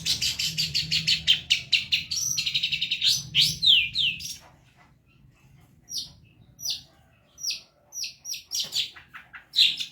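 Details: Long-tailed shrike in vigorous song on a bird-training recording: fast, chattering, buzzy notes for several seconds, a pause, then single sharp, falling notes spaced out and repeated.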